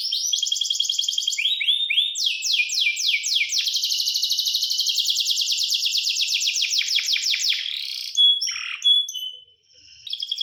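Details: Singing canary delivering long, rapid rattling rolls at high pitch with brief changes of tempo, then a few scattered chirps and a short quiet spell before the song resumes.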